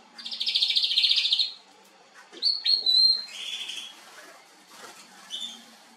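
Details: A canary in Remscheid, NRW, Germany, on 26 June 2021, sings in a nightingale style: a long rapid buzzy trill first, then whistled upslurs and short warbled phrases, high-pitched and varied.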